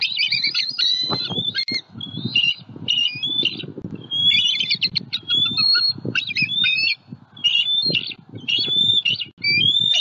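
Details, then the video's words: Southwest Florida bald eagles on their nest call out to warn off a passing juvenile eagle, guarding their young eaglet; near-continuous piercing, squealing chatter with rapid stuttered notes, over low wind-like rumble. "SWFL Eagles * Juvie Disturbs the Peace! * Harriet & M15 Very Vocal * Protecting E14"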